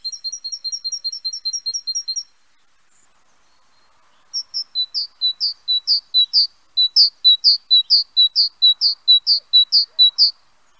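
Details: Great tit song: a fast run of clear two-note phrases for two seconds, a pause, then a longer series of ringing, repeated two-note phrases rising in loudness, about two per second.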